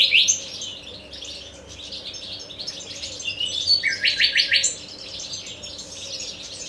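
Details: Nightingale singing varied phrases, highlighted by a rapid run of about eight loud, identical stuttering notes, with softer high twitters before and after and a constant low hum beneath.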